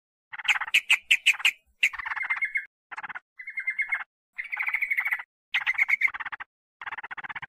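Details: Sooty-headed bulbul lure for drawing in wild birds: quick sharp chips give way to separate phrases of buzzy chatter mixed with flat whistled notes.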